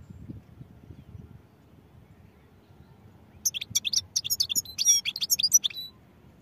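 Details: European goldfinch bursting into song after a few quiet seconds, a fast jumble of high twittering chirps and trilled notes lasting about two and a half seconds.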